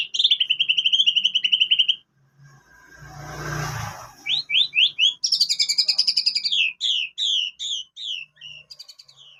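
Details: Canary-style phrases sung by a white-rumped shama, used as a lure: a fast steady trill, a brief noisy rushing sound, then quick rising whistles and a string of sweet falling notes repeated in rhythm.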